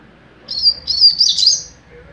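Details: Mateiro-style song from a young double-collared seedeater: a short high whistle, then a longer run of sharp, warbling notes that climb and flutter before fading out.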